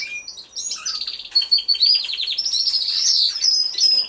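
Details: Canaries singing together inside an aviary, filmed with a hidden camera. Quick chirps lead into long, rolling high trills and bright whistled phrases layered from several birds.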